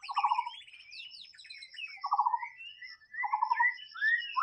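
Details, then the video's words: White-rumped shama singing in the wild: rich varied phrases, low buzzy trills repeated about every 1.5 seconds alternating with whistled slurs and high thin notes, quiet background. "SUARA BURUNG MURAI BATU SUARA ASLI DI ALAM BEBAS"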